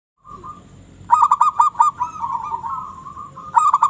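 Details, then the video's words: Local zebra dove calling nonstop, a sustained mid-pitched tone breaking into a rapid run of staccato, ringing coo notes. "burung perkutut lokal gacor"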